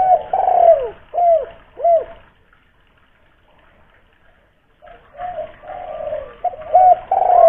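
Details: Local spotted dove from Kuningan, West Java, with a big voice for luring doves into calling. Three arched coos, then a silent gap of about two seconds before renewed cooing.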